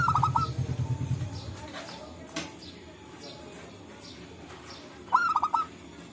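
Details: Wild local zebra dove calling in forest as a trapping lure; a brief stuttering coo phrase at the start and another near the end, with a low rumble under the first and quiet background between them.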